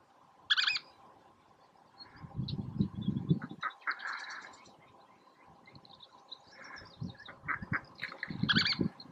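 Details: Least tern (Sternula antillarum) at Oso Flaco, May 31, 2019, giving harsh, raspy high calls: two loud squeaky bursts at the start and end with scattered shorter chips between, over low rumbling wind.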